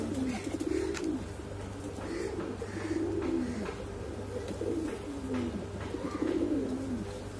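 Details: Exhibition Homer and Shiraji domestic pigeons give deep, throaty cooing boom calls, each a rolling rise and fall lasting about a second, repeated steadily over a low background hum.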